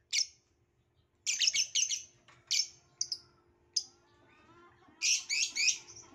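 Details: Chirping violet lovebird giving piercing high chirps, some in rapid triple bursts, others single and spaced, over a faint low background hum.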